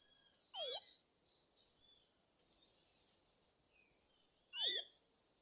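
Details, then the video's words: Black-backed Tanager (Stilpnia peruviana) call: two short, high, sharp notes about four seconds apart, each a quick buzzy chip with a thin downward slur beneath it; otherwise quiet. "Canto da Saíra Sapucaia Stilpnia Peruviana"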